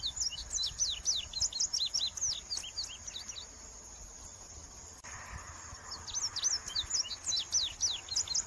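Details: Indigo bunting singing: rapid high thin notes, sharp and slurred, delivered in quick bursts with brief gaps, over a steady high insect-like hiss and faint background noise.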